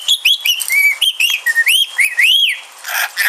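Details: Pet rainbow lorikeet talking, mimicking speech: a run of quick whistled, speech-like syllables with rising and falling slurred notes, several arched upward sweeps near the end, followed by a brief noisy scratchy burst.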